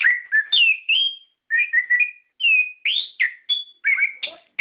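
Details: Orange-headed thrush, a lure for caged birds, belting out ngeplong song: crisp whistled notes sliding up and down, clustered into short phrases separated by brief silences.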